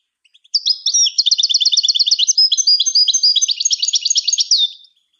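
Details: European goldfinch singing, played to train other birds; a fast, high, liquid twitter of repeated trilled notes lasting about four seconds, against a quiet background.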